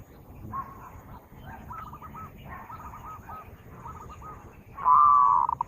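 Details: Zebra dove singing as a lure for birds: soft, broken cooing notes at first, then one loud sustained coo ending in a few quick stuttered pulses.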